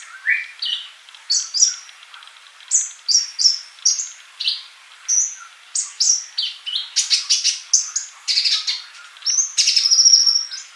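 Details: Singing male olive-backed sunbird, a teaching example for mute young birds. Crisp high chirps are repeated in a lively rhythm, rising into fast twittering and a high buzzy trill near the end.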